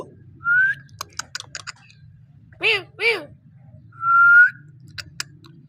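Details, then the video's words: Parrot indoors: a rising whistle, a quick series of clicks, two rough arched squawks, then a long steady whistle and a couple of final clicks. "Amazing parrot voice talking sound parrot"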